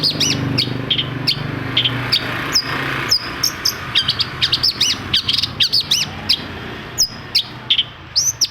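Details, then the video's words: Long-tailed shrike song used to stimulate other shrikes to sing: a long stream of high clipped whistles and upward-flicked notes, quick and irregular, over a faint low hum and steady background hiss. "CENDET MACET SUSAH BUNYI PASTI NYAUT KETIKA MENDENGAR TOETAN BURUNG CENDET INI"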